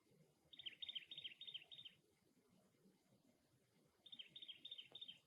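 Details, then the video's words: At the nest, a cactus wren delivers two fast, raspy strings of repeated notes about three seconds apart, each string a rhythmic churring series over soft background noise. "Cactus Wren Bird - Call"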